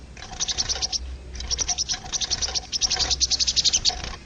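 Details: Crested jay recorded in the wild for training caged songbirds, giving rapid, evenly pulsed high rattles in three long runs, like fast ticking chatter over a low steady hum.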